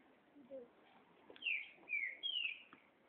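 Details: Free-flying chopi blackbird giving three clear, downslurred whistled notes in quick succession, each sliding lower, after a few faint lower chirps; soft human voices in the background.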